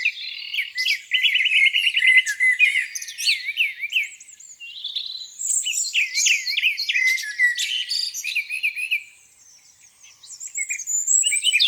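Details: Lakeside birdsong on a spring morning: fast trills, looping chirped phrases and whistles from several birds, fading near the end.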